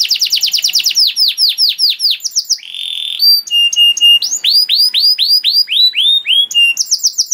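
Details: Canary song for training young canaries, made of varied phrases: fast falling trills, swooping whistles, a flat mid-pitched tone, and repeated arched notes in quick succession.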